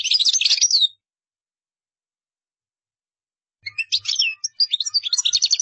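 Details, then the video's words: Goldfinch song in two parts: a brief fast twittering burst, then after a long pause a longer run of rapid chirps and tinkling trilled notes. "تغريد مقنين قدارة"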